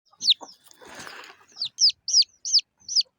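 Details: Small local chicken chicks chirping: a few loud, high descending peeps at uneven intervals, with a brief rustling noise burst partway through.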